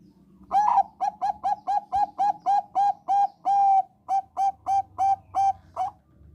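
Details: Bangkok-type zebra dove singing, used as a lure for all kinds of zebra doves: a rapid run of about fifteen short, clipped cooing notes on one pitch, with one longer drawn-out coo near the end, against a quiet background.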